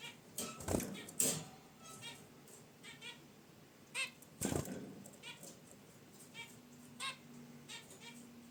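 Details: Zebra finches in a cage near a wicker basket nest call with intermittent nasal honks amid rustling, thumps and fluttering from movement around the nest.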